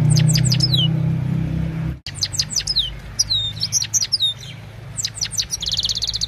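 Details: Himalayan goldfinch singing in the evening, phone recording: a series of quick downward-sweeping chirps and twitters, ending in a fine buzzy trill, over a strong low rumbling hum.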